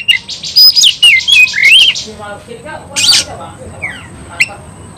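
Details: Oriental magpie-robin fighting song intended to provoke other magpie-robins: opening burst of sharp whistled slurs and harsh notes, then quieter scattered chips and a brief rasping outburst near the end.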